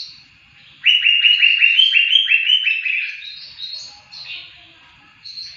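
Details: Song of a greater green leafbird used for training songbirds: a burst of quick, ringing chip notes repeated nearly three times a second, slightly rising in pitch, then scattered high twittering phrases with brief pauses.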